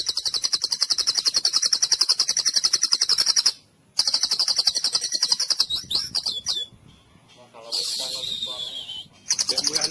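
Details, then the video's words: Therapy song for a mute, sluggish white-rumped shama: long, rapid trills of sharp notes, about three or four per second, broken by brief silences and a few squeaky, twisting phrases. "Musik terapi untuk murai bisu dan loyo"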